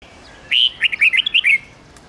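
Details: Red-whiskered bulbul singing a mature wild-style song of 10 to 13 notes, used to train young birds: a loud rising whistle followed by a quick run of six short, sweet, warbled notes, all within about a second.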